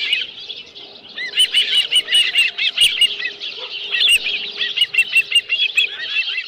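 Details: Osprey at Dunrovin Ranch nest, midday 11 July 2018, live fish on the nest: quiet start, then repeated shrill whistled chirps in bursts of several notes, steady electrical hum underneath.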